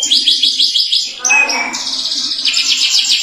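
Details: Atlantic canary singing a long continuous 'gacor' song meant to set other canaries singing: fast high buzzy trills in rhythmic bursts, a brief dip into lower warbled notes midway, then rapid trilling again.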